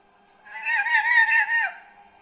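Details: A green parrot, kept as a pet and described as talking, makes one drawn-out, wavering, voice-like note of about a second with rich overtones.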